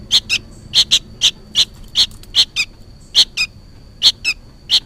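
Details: Fledgling sooty-headed bulbul calling insistently, seemingly to its parent: bright, harsh chirps delivered in twos and singles at an uneven rhythm, about fifteen notes, plus a thin continuous high tone.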